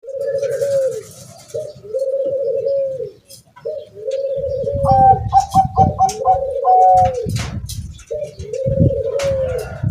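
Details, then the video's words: Bangkok-type zebra dove (perkutut bangkok) kept at home, calling despite strong wind: long, level, mid-pitched coos repeated every second or two, with a quick run of short higher stuttered notes in the middle and a low rumble of wind beneath. "meskipun angin kencang tetap bunyi perkutut bangkok penghuni rumah"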